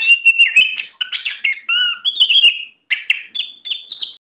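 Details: Oriental magpie-robin prepared for singing contests, giving a fast medley of clear whistles, a low fluted note, buzzy trills and crisp chips, ending in high level whistled notes.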